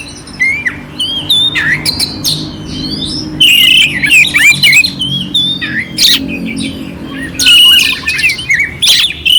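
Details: An oriental magpie-robin delivers a vivid song with coarse fill-in notes intended to excite a cold bird, sliding whistles interspersed with grating rasps and sharp clicks, faint low hum beneath.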